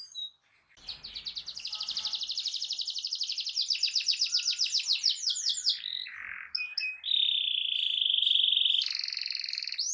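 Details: Canary singing loudly to stir other canaries to answer: a long run of rapid, even, buzzy trill notes that builds in strength, followed by a rasp, then a sustained high whistle and sharp chips.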